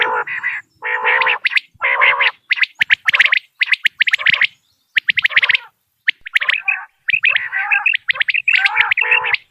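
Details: Quail calling from Dera Ghazi Khan, a recording used for hunting quail: harsh buzzy, throaty phrases alternating with quick runs of sharp clicks, continuous with a few short pauses.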